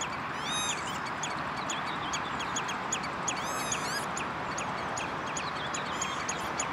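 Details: Redshank at De Wollebrand water storage area, Netherlands, 11 June 2013: insistent rapid falling notes, with bursts of curved ringing calls early and midway, all set against steady background roar.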